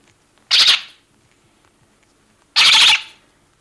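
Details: Lesser black-backed gull chick, two to three days old, giving alarm calls on Walney Island: two harsh, noisy bursts about two seconds apart, each roughly half a second long, over a quiet background.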